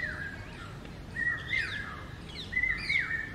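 A cuckoo gives clear, drawn-out whistled notes, repeated about every second, with quick rising and falling notes from other birds behind it.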